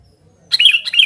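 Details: Sooty-headed bulbul calling busily for luring and tutoring use; a brief burst of two lively, slightly slurred chirping notes after a moment of silence.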